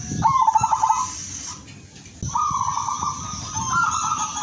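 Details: Silver female zebra dove calling for males, kept as a lure so others respond; a quick pulsed coo burst opens, then a pause, then longer level warbling coos, with a constant thin high whine behind.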